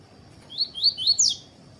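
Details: Caged male double-collared seedeater in the tui tui song style, kept with a female to warm him up for song contests; about five quick, high chirpy notes rising and falling over roughly a second, against a faint steady high hum.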